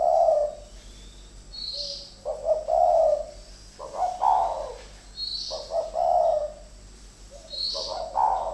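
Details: Captive spotted doves kept as decoys, two birds fighting: low rolling coos come in alternating bursts roughly every one to two seconds, with faint high chirps overhead and steady background hum.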